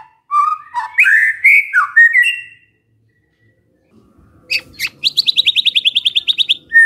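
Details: White-rumped shama singing as a lure to make other shamas reply: rich slurred whistled phrases, a brief pause, then a fast, evenly repeated trill of about a dozen sharp notes.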